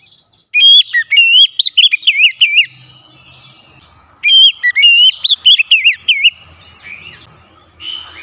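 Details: Oriental magpie-robin (kacer) singing, recorded to stimulate other birds into song with varied fill-in phrases; two bursts of loud, rapid whistled notes with quick up-and-down slurs, separated by a pause of about two seconds.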